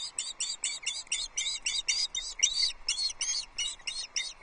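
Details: Piping calls from the Loch Arkaig osprey nest on the morning of 3 July 2022, when a flapping fish is brought in for breakfast: urgent, high, harsh-edged chirps repeated rapidly and unevenly over a low hiss.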